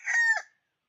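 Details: Closing part of a decoy red junglefowl's crow, January 2021: a strained, drawn-out note that turns lower and fades, followed by silence.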